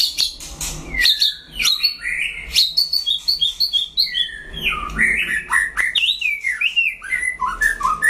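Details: Energetic white-rumped shama duelling a rival with a long run of varied whistles, sharp upslurs and downslurs, clicks and descending phrases, all delivered rapidly without pause.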